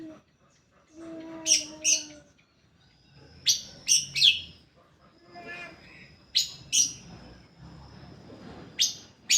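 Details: Greater green leafbird song used as a lure to set other leafbirds singing: paired high piercing chirps repeated in clusters, a thin sustained whistle between them, and a brief lower tonal note near the start.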